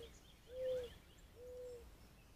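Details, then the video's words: Doves cooing on a deck, captured by a trail camera: two soft, low, hollow coos, each about half a second long and slightly arched in pitch, spaced about a second apart over quiet background hiss. "Love to hear the doves cooing"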